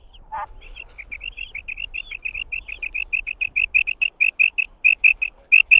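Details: Calling of a female quail: one low harsh note, then a rapid, even run of short, bright, high notes. They grow louder toward the end, with about thirty notes in six seconds.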